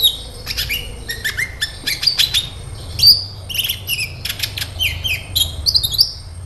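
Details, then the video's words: Sunbird lure song meant to trigger singing in other sunbirds; a busy stream of sharp high chips and short buzzy twitters, repeated in quick bursts throughout, over low background hum. "SEMUA Burung KOLIBRI CUEK LANGSUNG RESPON DAN GACOR Dengan PANCINGAN INI!KOLIBRI NINJA GACOR"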